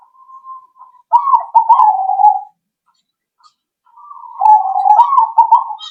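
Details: Zebra dove played as a lure to draw other birds into answering; soft, rolling coos around the same low pitch, a steady drawn-out note followed by two bursts of stuttering, trilled cooing with a short gap between.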